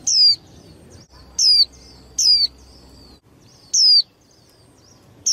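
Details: Young hen white-eye, kept to stimulate male song in contests, giving five loud, thin, downward-sliding whistle notes in about five seconds, with soft faint chirps between and a low murmur behind.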